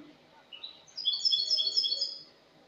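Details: Spanish goldfinch singing in the clean 'cante limpio' style, dated 22 August 2018: a quiet lead-in note, then a rapid, high, tinkling run of bright chirps and trills lasting about a second and a half before stopping.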